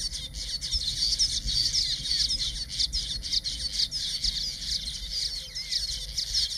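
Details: Male village weavers in a colony in Zululand, KwaZulu-Natal, South Africa, displaying at their nests to nearby females, keep up a steady, high, wheezy chatter of overlapping buzzy, sizzling notes over low wind rumble.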